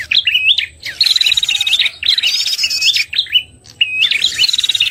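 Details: Trapping lure call of a red-headed prenjak (prinia), used to draw birds in or rouse them after moulting: strings of rapid even whistled notes and upswept chirps, in lively bursts with short breaks.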